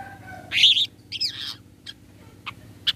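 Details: Long-tailed shrike (Lanius schach) lure call to make other shrikes answer: two harsh, scratchy bursts, then three short, sharp ticking notes spaced about half a second apart, over a faint steady hum.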